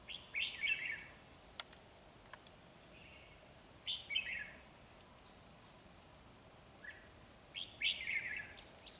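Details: Red-whiskered bulbul singing while bulbuls are trapped, 25 October 2020: clusters of bright, warbling whistled phrases separated by pauses of one to three seconds, over a constant shrill insect drone and a single sharp click.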